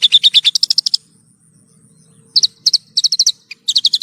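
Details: Horsfield's bush lark tutor song for caged birds: a dense burst of shrill, rapidly repeated notes, a silent gap of over a second, then more clipped chirp series.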